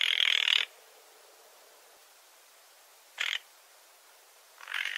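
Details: Rasping calls of a spotted nutcracker: one longer grating note at the start, then a short clipped one and another rising at the end, separated by near silence.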